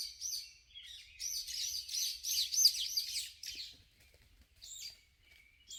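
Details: Birds singing in a cypress forest on a rainy morning, 15 June 2021: high, thin twittering phrases repeated in quick rolling series, then a pause and a few isolated high chirps.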